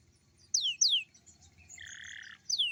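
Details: Young canary singing in the morning as a prompt for other young canaries: two sharp falling whistles, a brief buzzy two-toned note, then another falling whistle.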